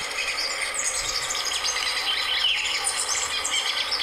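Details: Yellow-bellied Siskin, Rio Blanco reserve, Caldas, Colombia, sings a fast, rambling stream of high, thin twitters and chirps, with no pauses and a faint hiss of background noise.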